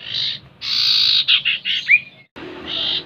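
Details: Common iora song played as a lure to get kept birds singing: short buzzy bursts, a run of clipped chirps, a bright rising-falling whistle, a brief silence, then another dry buzzy note.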